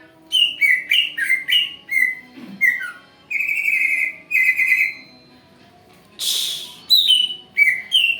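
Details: Song of a Greater green leafbird, played as a lure meant to draw a reply: bright whistled notes in short bursts, a few longer steady whistles, then a sudden harsh hiss-like burst before the whistling resumes.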